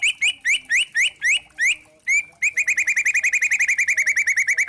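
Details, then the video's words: White-rumped shama with spotted trotol plumage, lure song meant to stir other shamas: spaced rising slurred whistles, then a quickening burst of rapid repeated chattering notes in kretekan style. "Pancingan murai trotol memancing emosi bikin murai batu trotol & Pastol bunyi gacor | Kretekan 16"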